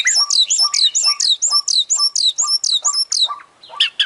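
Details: Oriental magpie-robin in full 'gacor' song with 'isian' fills, opening beak and tail: one high, sharply bending whistled phrase repeated about twice a second, each paired with a lower short note, ending in a brief harsher burst.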